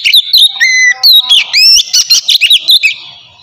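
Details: Continuous, vigorous 'ngeplong' song from an Oriental magpie-robin, used to coax idle birds to sing, made of a dense string of loud whistles, flat held notes and quick slurred chirps.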